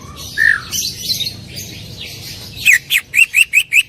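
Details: Greater green leafbird sings full 'tembakan' bursts. A single slurred whistle and some softer chatter lead into a fast, regular series of seven loud, bright notes.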